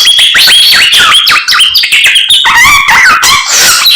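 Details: Continuous samyong morning song made of fast, varied whistles that jump and slide up and down, mixed with chattering squeaks, unbroken throughout.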